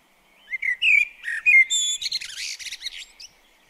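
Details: Common blackbird singing by a garden bird table in the UK: low rich whistled notes rising and falling, followed by a scratchy, high-pitched twittering tail.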